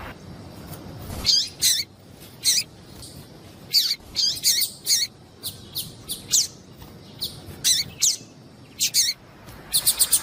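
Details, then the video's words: Calls of a female double-collared seedeater, used to provoke a male into song: bright, high, clipped chirps given singly and in quick pairs or triplets throughout, over a quiet background. "MELHOR PIADO DE FÊMEA DE PAPA CAPIM PARA DEIXAR SEU PAPA CAPIM DOIDO PARA CANTAR LOGO"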